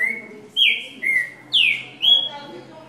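Green-winged saltator: a run of five clear, slurred whistles about half a second apart, some swooping up and falling back, over a faint low hum.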